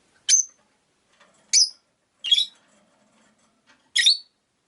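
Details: Four short, sharp, high chirps, spaced roughly a second apart, come from rosy-faced lovebirds in a cage beside a window where five birds live.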